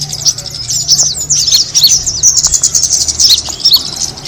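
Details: Kemade bird attracting call: a thin, excited stream of very high chirps and downward flicks, closely packed and continuous, over a faint low hum.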